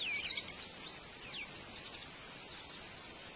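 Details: Wild white-eye at its nest while feeding its young: a quick burst of thin, high downslurred chirps early on, then a few fainter high notes over a steady hiss of background noise.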